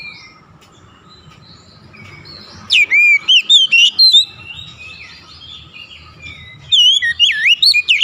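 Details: Oriental magpie-robin singing two bright phrases of loud, sharply bending whistles after a soft quiet start, with faint background hum between the phrases.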